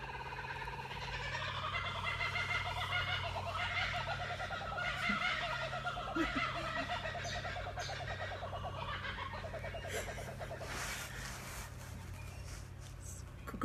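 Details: Laughing kookaburras (Dacelo novaeguineae) laugh in rapid, rolling chuckles that rise and fall for several seconds, over a steady low hum, with a woman speaking briefly.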